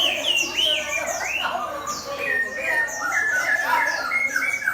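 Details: Contest hwamei placed against a fighting bird keeps up a fast, varied stream of whistled notes, up-slurs and looping phrases at mid to high pitch without pause.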